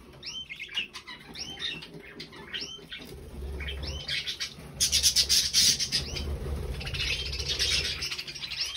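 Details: Three pet budgerigars calling: short rising whistled chirps repeated in quick succession at first, then a loud burst of harsh, buzzy chatter and continued scratchy warbling, with some low rumbling underneath.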